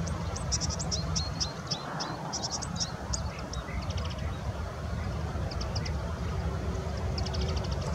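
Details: A European bee-eater flying over and calling gives short, high, liquid trilled calls in loose bursts overhead, over a steady low rumble of wind or distant traffic.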